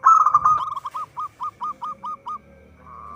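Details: Actively singing local zebra dove, recorded as a trapping lure. A rolling coo opens, then about ten short hooked notes repeat roughly four times a second, ending with a faint trill.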